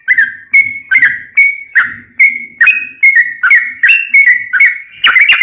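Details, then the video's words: Sooty-headed bulbul song for training caged birds, chain of loud clear whistled notes, some rising and some falling, about three per second, with soft low rustling beneath. "Trucukan gacor tarung ROPEL panjang, masteran burung macet bunyi dan liaran pasti nyaut"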